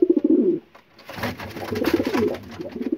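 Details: Young racing pigeons from 2022, kept at home and flying, foraging and sunbathing in a garden before their racing season, give a loud, low, rolling coo at the start, then a run of softer overlapping coos over background clatter.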